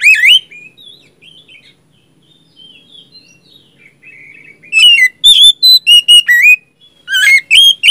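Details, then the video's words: Oriental magpie-robin singing loud, clear whistles with sliding, varied phrases between softer warbled passages, bursts of rich notes several times a second, used as a lure to prompt a silent magpie-robin to sing. "kacer macet,bahan langsung nyaut rajin bunyi dan gacor ngeplong"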